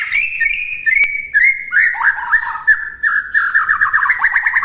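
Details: White-rumped shama master song for birds to copy: a continuous rich stream of whistled and warbled phrases, varied and fast, with one sharp click early on and no other clear sounds.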